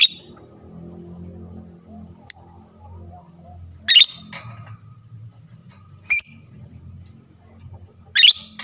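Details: Lovebird sounds played to make other lovebirds answer: a few sharp, harsh, high squawks a couple of seconds apart, with a thin high tone between them and a faint low hum beneath.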